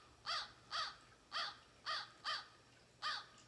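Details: An American Crow gives six harsh, rasping caws, about two per second and evenly spaced, over a faint low hum; described as a rasping kah kah kah, able to mimic other animals and birds.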